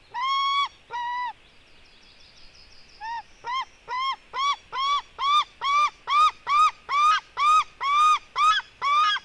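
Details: White-tailed eagle eaglets, a female fighting with her brother, at 16:09: a few drawn-out harmonic squeals, then a pause, then a steady run of short, clear, slightly rising yelping notes about twice per second.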